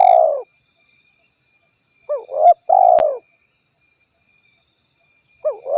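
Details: Spotted dove used as a lure, in an active calling bout: low mellow coos, a short two-part phrase, then a long drawn coo and another phrase starting at the end, with faint high tones behind.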